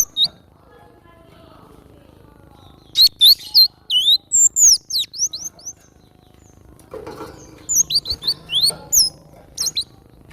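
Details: Actively singing wild cinereous tit: after a quiet start, two rapid runs of thin, high descending whistles, each note a quick downward slide, separated by a few seconds of near silence.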